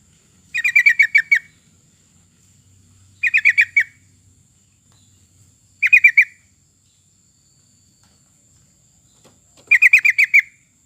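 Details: Lure recording of a sooty-headed bulbul meant to get other birds singing. Four rattling phrases of five or six fast, bubbly notes arrive roughly every two and a half to three seconds over a quiet background.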